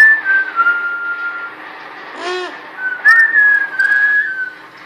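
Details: First whistles of a female pet parrot at home in Quebec, Canada: two clear whistled phrases that glide down to a steady held note. A brief human vocal sound falls between them in a quiet room.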